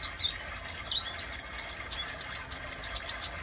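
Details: Kolibri dada merah, a sunbird, gives scattered high, thin tweets, then a quicker burst of sharp chirps in the second half, over a constant soft background hiss.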